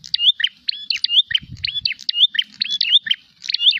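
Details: Agitated prinia searching for an opponent: loud, bright, twisting chirps run together in fast clusters, and a brief low thump sounds in the middle.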